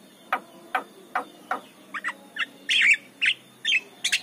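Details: Javan myna singing in the morning as a lure for other mynas: evenly spaced clicks, then louder harsh raspy squawks in short bursts, about one every half second.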